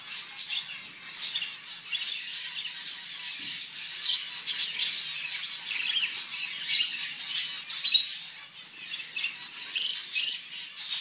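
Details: Many finches at a bird farm chatter together in a steady chorus of high, scratchy chirps and tweets, with a few louder sharp notes popping out every few seconds.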